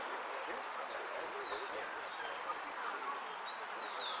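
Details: Caged hooded siskin entered in the 'Amarillo sin cierre' class of a singing competition at Monte Grande, Argentina, 15 November 2015: a quick run of about ten thin, high, downslurred notes, then lower slurred whistles, over steady crowd chatter.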